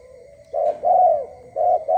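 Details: A dove calling in the early morning gives soft, low hooting coos, a short note and a longer drawn-out one, then two more short coos, over a quiet background.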